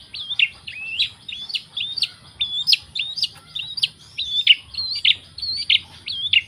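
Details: Long-tailed shrike song: about thirteen matching short phrases, each a flat whistle dropping into a downslurred note, repeated roughly twice per second in a steady rhythm.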